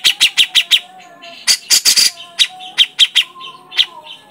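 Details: Grey-cheeked bulbul (Alophoixus bres) song: sharp, high chirps in quick runs of four or five, broken by short pauses, over a faint lower whistled tone.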